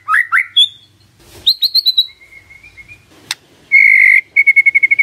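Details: White-rumped shama song used as a lure to make silent birds answer: rising whistled slurs, a rapid buzzy trill, then a sustained steady whistle and a fast run of repeated clipped notes.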